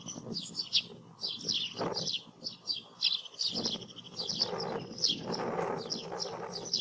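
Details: Eurasian tree sparrows (Passer montanus), apparently in Portugal, give a steady run of short, bright chirps, several each second, over a soft background rustle.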